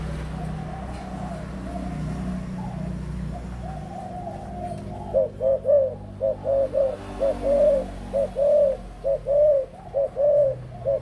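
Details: Adult spotted dove, recorded 18 October 2021, gives a run of soft, mid-pitched hollow coos, grouped in short pairs and threes, after a few seconds of low background rumble.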